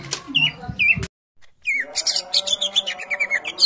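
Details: Champion greater green leafbird in full song: bright chattering phrases of rapid high chirps and short slurred whistles. A brief silent gap is followed by a dense run of repeated notes.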